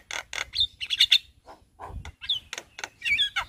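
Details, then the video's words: Javan myna singing its full repertoire by day in front of a house: a jumble of harsh broadband rasps mixed with clear whistled notes near the top, delivered in quick uneven bursts. "Suara Burung Jalak Kebo GAcor Bongkar Isian Siang Hari Di Depan Rumah"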